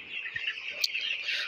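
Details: Broiler chicks reared in winter fill the air with overlapping shrill peeps, the chorus swelling slightly toward the end, broken by one sharp click midway.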